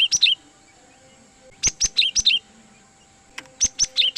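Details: Cinereous tit (gelatik batu) lure for trapping wild birds: loud, clear bursts of rapid high whistled notes, each falling in pitch, repeated in groups of four to six about every one and a half seconds.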